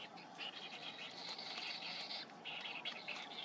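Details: Cinnamon bittern chick at feeding time with its parent: drawn-out, hissing-raspy begging bursts, one long grating stretch, then short choppy ones.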